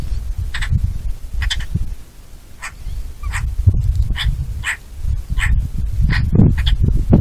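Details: Eurasian magpie uttering a loose series of dry, rasping single calls at irregular intervals, sometimes doubled, against strong low-pitched rumble, possibly wind.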